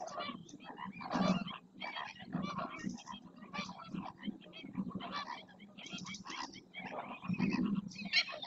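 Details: Flamingos performing a group display in the marshes of Doñana National Park, Huelva, Spain, stretching necks, turning heads and splashing; loud, continuous nasal honking and chattering from many birds, with stronger bursts near the start and end.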